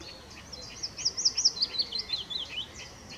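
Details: Willow warbler giving mixed singing at RSPB Middleton Lakes on 25 June 2023: a rapid run of sweet, clear whistled notes that slides gradually downward in pitch over about two seconds, over a faint steady background hiss.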